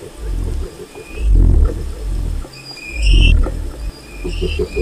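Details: Deep booming from a wild cassowary, two strong low swells with softer rumbling between them. Chirping birds call high above in the background.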